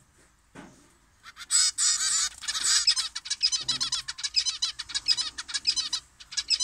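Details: Zebra finches in an aviary at 6:30 am, in cool weather with a gentle breeze, gather for their morning feed and give a busy run of nasal, toy-trumpet beeps, several birds calling together.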